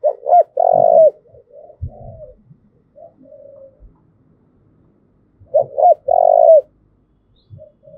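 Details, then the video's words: Spotted dove, Đồng Nai, cooing thúc gù style to provoke and train decoys; two loud phrases of double clipped notes and long purring coo, separated by soft coos and low thumping noises. "tiếng cu thúc gù hay"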